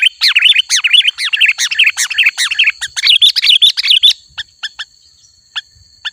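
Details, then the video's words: Energetic sooty-headed bulbul song, used to lure wild bulbuls: rapid bubbly chirps, about 150 per minute, for four seconds, then scattered single sharp notes. A steady high whine runs throughout. "Suara Burung Kutilang Gacor Asli 100% Ampuh Untuk Memanggil Burung Kutilang Liar Auto Mendekat"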